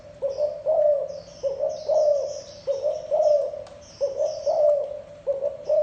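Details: Low, soft gù cooing from a thổ đồng spotted dove, phrases recurring about once a second in a steady pattern, with high chattering chirps of other birds over the top.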